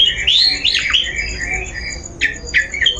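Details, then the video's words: Long-tailed shrike lure sound used to prompt a bird into singing: harsh, scratchy squawks sweeping up and down, then short sharp downslurred notes near the end, over faint low background hum. "Suara Pancingan Burung Cendet"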